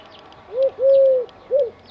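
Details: A Eurasian collared dove perched on an antenna in Dzierżoniów gives its three-part hollow coo, soft and low: a short note, a long drawn-out middle note, then a short final one.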